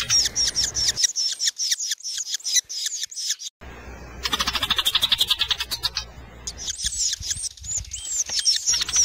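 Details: Loggerhead shrike (Lanius ludovicianus) calling with bursts of high, squeaky chirps, broken by a rapid, harsh buzzy rattle of about a dozen pulses before the chirping resumes; Loggerhead Shrike.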